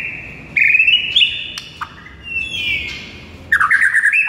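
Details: White-rumped shama in morning masteran song, singing vigorously: a long whistled phrase gliding slowly downward, then a burst of rapid chattering notes at the end.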